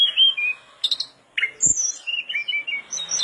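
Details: Mangrove blue flycatcher in vigorous, nonstop song, used as a training recording for other birds: bright high whistled notes and quick chirps, some sliding down, others short and sharp, delivered in rapid irregular bursts with brief pauses between phrases.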